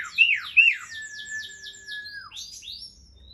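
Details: Asian pied starling giving two loud upslurred whistles, a long level whistle, and a fast series of faint high descending strokes, with quieter notes at the end.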